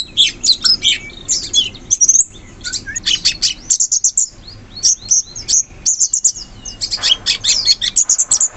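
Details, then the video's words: Wild sooty-headed bulbul singing in forest: dense bursts of high, sharp chirps and quick twittering notes, fast and overlapping, broken by short pauses, going on steadily throughout. "Suara burung cucak cungkok asli hutan"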